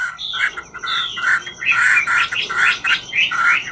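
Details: Chinese hwamei of the ngũ trường style singing while dancing: loud warbled phrases and slurred whistles, several bursts pulsing roughly every half second, with a low background murmur beneath.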